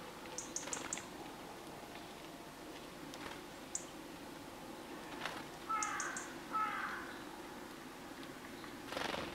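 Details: Brambling at a wild-bird feeder in Limousin, central France, on 25 November 2015: quick high chips in little bursts, then two harsh, nasal calls near the middle, over a steady background hiss.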